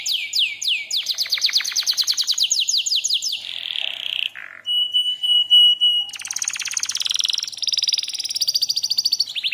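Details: Canary lure song for training other canaries: a string of quick downward-sweeping chirps that speeds up and blurs into a buzz, then a brief low note, a steady whistle, and a long harsh rattling trill.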